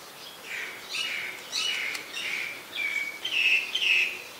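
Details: Common myna (Acridotheres tristis) in Ubon Ratchathani, Thailand, 15 December 2020, giving a run of harsh, chattering phrases mixed with whistled notes, high-pitched and uneven, about two phrases a second.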